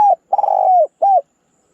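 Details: Spotted dove cooing at close range: the end of one note, a long burry trilled coo sliding gently downward, then a shorter rounded coo.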